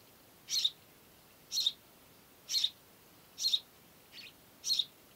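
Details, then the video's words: House sparrow giving loud, bright chirps, each a short double note, repeated about once a second. Six chirps in all; the fifth is softer. The background is otherwise quiet. "Vogelstimmen: Der Haussperling - House sparrow - Passer domesticus"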